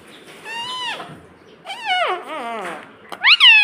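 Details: Pet parrot that talks and says "mummy". Drawn-out, meow-like falling vocal phrases come first, followed by a sudden loud, bright upward call.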